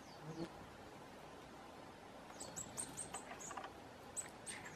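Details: Hazel grouse giving very high, thin, piercing whistles. Several short whistled notes come in a loose series midway through, over a steady hiss of background noise.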